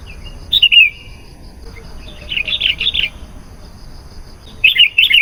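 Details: Sooty-headed bulbul singing lively lure phrases to draw in wild bulbuls: a single sliding liquid note, a cluster of fast bubbling notes, then a closing pair of bright, warbled bursts.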